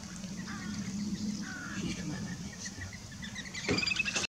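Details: Little grebes fighting at Sandwich Bay, Kent, UK, give short, high piping notes that quicken into a rapid series toward the end, over a low steady hum and a faint murmur of voices.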